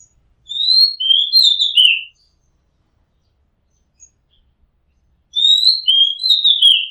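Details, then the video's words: Oriental magpie-robin recorded from a house rooftop, singing two loud whistled phrases about four seconds apart, each a run of rising and falling slurred notes ending in a lower buzzy trill; quiet background otherwise. "Oriental Magpie Robin Sound Long play | เสียงร้องนกกางเขนบ้าน"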